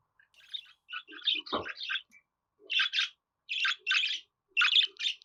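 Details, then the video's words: Scratchy budgerigar warble: a muttered run of squeaks and chirps, one low thud, then three evenly spaced pairs of loud buzzy chirps about a second apart. "Muhabbet Kuşu Sesi"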